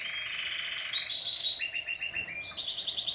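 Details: Canary singing: a fast, bright sequence of high trills and rolling tours, shifting between several pitched buzzy rolls and rapid repeated notes, continuous throughout with no other sounds.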